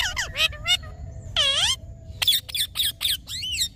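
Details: Green talking parrot mixing short raspy squawks with a drawn-out wavering whistled phrase, then a fast series of clipped harsh notes and a final rising-falling warble.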